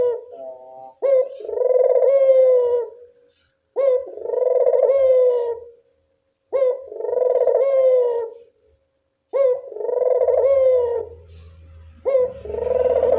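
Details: Barbary dove cooing at dusk as a lure: a steady series of five rolling coos about every two and a half seconds, short pauses between, with a faint low hum near the end.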